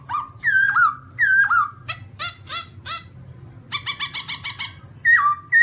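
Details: Black-throated laughingthrush, Garrulax chinensis, with funny sounds and dances: loud whistles rising then dropping, repeated twice, broken by harsh chattering bursts and a rapid nasal rattle, ending in more falling whistles.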